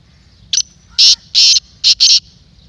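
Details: Kala teetar call meant to rouse a kept black francolin: a brief lead note, then four loud, harsh, buzzy notes, the middle ones longer and the last two quickly paired.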